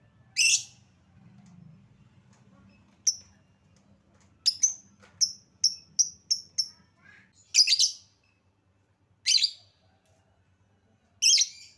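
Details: Lovebird lure for coaxing song: sparse shrill squawks, then a quick row of sharp high ticks, followed by several more harsh, rasping calls at irregular intervals.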